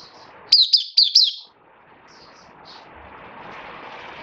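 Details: A captive Oriental white-eye singing after a major moult, 26 January 2023, gives a quick burst of three high, thin twittering notes, then falls quiet against faint background hiss.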